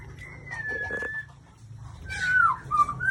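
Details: White-rumped shama, Aceh variety, giving a long level whistle that slowly falls, a pause, then a burst of sharp bright notes and slurred whistles over faint low hum.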